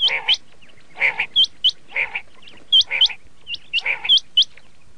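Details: Red shade common quail calling in repeated bursts roughly once a second, each burst mixing hooked upward whistles with rough, buzzy lower notes.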